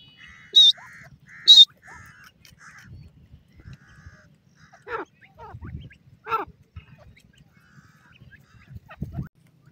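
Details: Female grey francolin (teetar) playing in a Pakistani forest gives two loud, shrill high notes, then a run of nasal clucking notes. Quieter rasping calls follow, with soft low thumps between them.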